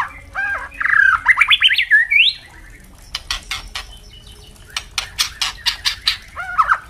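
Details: Captive white-rumped shama song used to train juveniles: a rapid burst of varied whistled and warbled phrases climbing in pitch, then a long series of hard crackling clicks, ending with a short whistled note.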